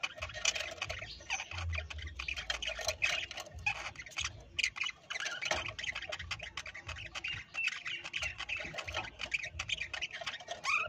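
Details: Several caged parrots squawking and chattering continuously, a dense harsh mix of raspy calls and chirps throughout, with low thuds in the background.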